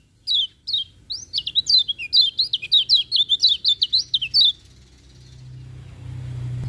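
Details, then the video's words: Lemon-bellied white-eye morning song, a lively series of high, thin, rapidly twisting whistles that speeds into a dense chatter for about four seconds, then gives way to a low rumbling hum. "Kicauan Kecial Kuning Pagi Hari"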